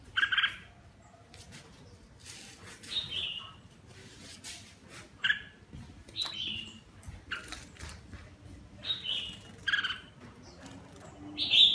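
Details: Red-whiskered bulbul (Pycnonotus jocosus) singing while bathing: short, bright whistled phrases, some sliding downward, repeated every second or so, with splashing and clatter between them.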